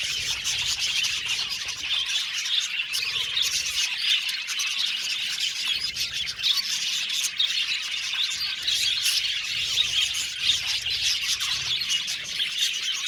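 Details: Long stretch of budgerigar colony chatter in an aviary, many birds chirping, tweeting and squawking at once, a steady lively chorus with sharper chirps breaking through now and then.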